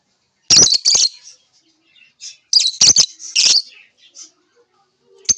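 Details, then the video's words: Lovebird chirping in loud bursts of harsh, shrill, high chatter, two main clusters with short sharp squeaks between, and brief silences. "lovebirds chirping sound"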